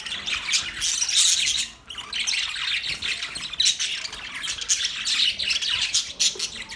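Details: A group of budgerigars warbles and chirps nonstop in high, buzzy, overlapping notes. A short dip in the chatter comes just before two seconds, and then the steady twittering resumes.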